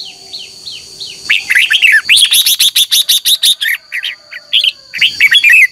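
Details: ['Red-whiskered bulbul morning contest singing for training birds: a dense, excited run of rapid chirping and warbled notes, nearly continuous for several seconds, with brief gaps and a steady high tone behind.']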